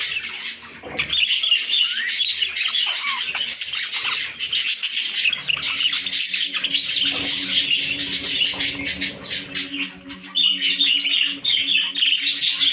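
Budgerigars chatter in a dense, scratchy warble of chirps and squawks with hardly a pause.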